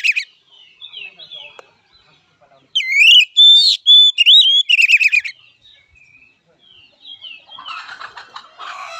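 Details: Fighting song of an oriental magpie-robin: after soft scattered notes, one loud burst of swooping whistles and rapid buzzy trills lasting about two seconds, then quieter harsh chattering toward the end.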